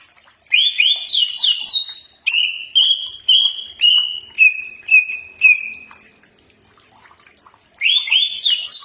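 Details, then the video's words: Common iora (cak ijo) song used for training: a quick cluster of rising whistles, a string of six level high whistles roughly every half second, a silent gap, then more rising whistles. "Mastran burung cak ijo pasti nyaut"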